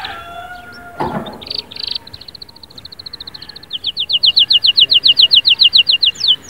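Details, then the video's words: Canary singing: a soft rapid trill that builds into a loud series of evenly repeated upslurred notes, about three to four per second, after a brief knock. "اياك وتقول عصفوري الكناري ساكت أدخل عليه البهجة بالمقطع الاكثر تحفيز نار نارcanary"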